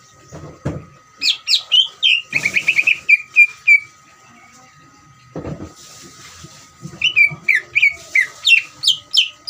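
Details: Greater green leafbird trilling song, meant to provoke other leafbirds into singing: rapid runs of slurred, falling whistles in two bursts, separated by knocks and thuds, over a constant electrical hum.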